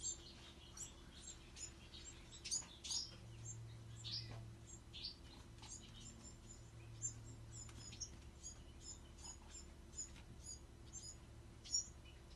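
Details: Bewick's wren fledglings: a busy series of short, high, thin chirps and squeaks, several per second, some in quick clusters, over a steady low hum in the background.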